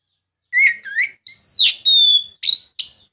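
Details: Song of an Oriental magpie-robin used to stimulate a silent bird: two slurred rising whistles, then a long clear whistle falling away, a steady high note, and two rasping chirps.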